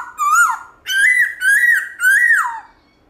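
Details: Black-throated laughingthrush giving morning song in the forest-voice, voice-changing style: four loud, clear whistled phrases, each rising then sliding down, separated by short gaps, in a quiet setting.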